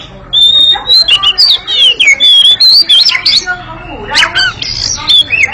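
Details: Oriental magpie-robin in agile ngekek song: a clear sustained whistle opens, followed by quick slurred and buzzy notes in rapid succession, with a faint low murmur underneath.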